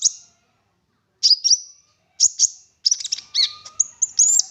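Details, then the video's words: Olive-backed sunbird lure recording, the bird singing actively in 'full nembak' style: spaced bursts of piercing high chirps with slurred whistles, building into a denser jumble of twittering notes toward the end. "Konin Gacor Full Nembak Isian Mewah!"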